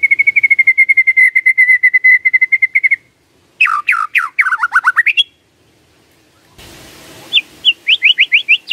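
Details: White-rumped shama lure song for triggering a response: a long, fast, even trill of repeated notes, then a burst of steeply falling slurred whistles, and a later series of rising notes over faint hiss.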